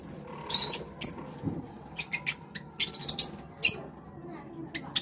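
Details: Java sparrows eating give short, high chips and clipped squeaks, scattered irregularly, some in quick bursts of four or five, with soft clicks and faint background murmur between.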